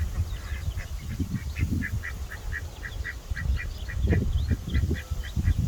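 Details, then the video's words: Two talkative ducks giving a steady run of short, evenly spaced chattering quacks, several per second and lasting the whole stretch, over a heavy low rumble of background noise. "Two cute talkative ducks. Natural sound"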